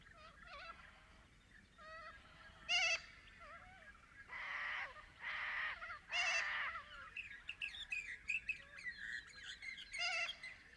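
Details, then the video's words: Little corellas in the Australian outback, Paroo-Darling National Park, roosting flock calling: overlapping raucous harsh screeches and wavering calls, several long loud bursts with quieter chatter and other birds in the background. "Little Corella Sounds - Loud wavering calls & harsh screeches"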